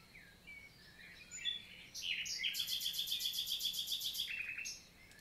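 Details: Daytime summer song of a common nightingale, Lot valley of the Célé, south of France, 11 June 2023; soft whistles give way to a loud, fast rhythmic trill of repeated notes lasting over two seconds.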